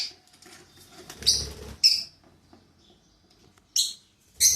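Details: Two pet lovebirds indoors starting their day: loud, shrill, screechy chirps in short bursts, a pair near the start, another pair near the end, with soft shuffling between.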